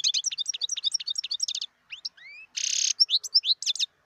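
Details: Wild European goldfinch in fast continuous twittering song, a rapid string of sharp chirps, two rising slurred whistles, a harsh buzzy rasp in the middle, then more quick tinkling notes.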